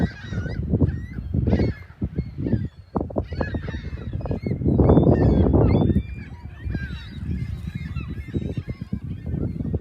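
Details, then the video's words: Gulls at South Beach in South Haven on the morning of March 21, 2021, with the lighthouse and pier in view. Scattered short, bent squawks from several birds sit above heavy low rumble and a loud noisy rush midway. "Morning Sounds of Big Blue & Seagulls"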